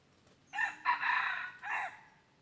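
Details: Red junglefowl crowing during junglefowl luring in the wild, recorded 23 January 2022: a loud three-part crow, a short harsh opening burst, a longer sustained middle section, then a final phrase that falls away, over a quiet background.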